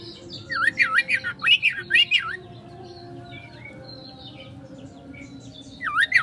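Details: Kacer (Oriental magpie-robin) 'konslet' lure song meant to draw a quick response: rapid V-shaped swooping whistles in a loud burst, faint scattered notes, then another swoop at the end.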